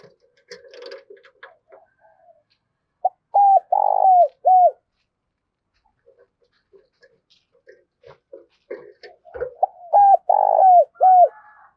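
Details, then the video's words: Spotted dove kept as a decoy bird, calling to lure wild doves: after scattered soft notes, two bursts of short, hoarse mid-pitched coos in quick series, each closing with a drawn-out falling note, separated by a quiet pause. "tiếng cu gáy - Chim Cu Mồi thúc Và Gáy Gọi Dùng Kích Bổi Rất Hiệu Quả"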